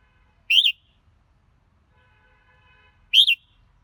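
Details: Red-whiskered bulbul repeating a short, bright whistled phrase twice, about two and a half seconds apart, with a faint thin hum between the phrases.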